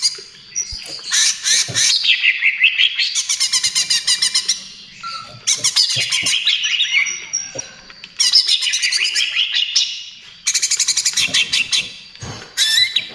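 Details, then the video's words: Greater green leafbird in sustained trotol song, used as lure and therapy for other birds: long volleys of rapid stuttering notes and swooping whistles, each burst lasting a few seconds, with short breaks between. "SUARA CUCAK IJO TROTOL GACOR"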